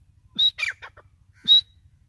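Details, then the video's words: Female grey francolin, a call used to lure birds when hunting: a short low note, then a sharp high whistle, followed by a tumbling run of harsh descending notes, then another high whistle, with soft ticking in the background. "Irani Teetar ki Awaz"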